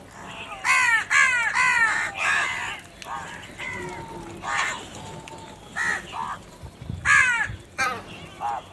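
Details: Crows fighting over food: a rapid series of harsh, downslurred caws, several in quick succession, then more spaced rasping calls of varying loudness.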